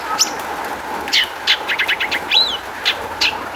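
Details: Long-tailed shrike song used as a lure to get other shrikes singing: scattered sharp chirps and short broadband notes, a few downslurred whistles, with a steady low hum underneath.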